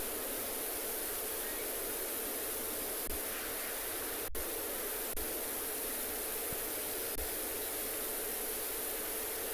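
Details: Steady broadband hiss of static with a few faint clicks, and no animal sound anywhere.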